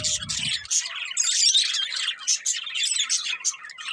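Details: Pet budgerigars chattering: rapid, scratchy, high warbling and squeaky chirps running without pause, with a brief low rumble at the very start.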